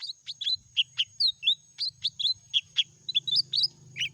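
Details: Continuous meratoh song from a lesser green leafbird: a rapid, steady series of varied whistled chirps and short slurs, about four each second, over a low faint hum and a steady high tone.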